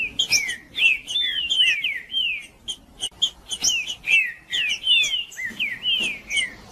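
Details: Green-winged saltator (trinca-ferro) in 'macheando' song, played to provoke singing: a continuous stream of bright whistled slurs, mostly descending, with high sharp notes interleaved and barely any pause throughout.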